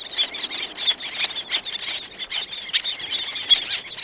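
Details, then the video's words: Close calls from several black-naped terns, others farther off: sharp, high-pitched squeals in quick irregular bursts, overlapping one another, in a quiet outdoor setting. "Black Naped Tern / Black-Naped Tern. CU Calls From Several, Others In Distance."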